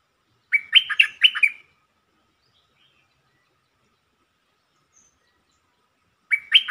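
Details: Bulbul song played as a lure to excite other birds: two quick bursts of bright, chirpy three- to four-note phrases, then a long silence and a third phrase at the end. Nothing else is heard.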